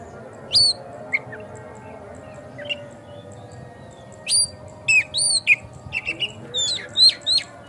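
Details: White-rumped shama song played to provoke a kacer into singing and spreading its tail: sparse sharp whistles and chips, then a quicker run of high clipped notes near the end, over steady low hum.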